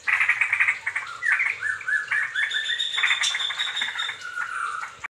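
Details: Pair of young straw-headed bulbuls singing loud, rich, bubbling warbles in fast liquid phrases, fairly low and mellow, with overlapping notes suggesting a second bird.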